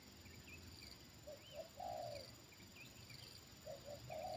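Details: Soft spotted dove coos as a trained bird reacts to a wild one lured down again: two short notes leading into a longer flat coo, repeated twice, with thin high chirps and steady background hiss.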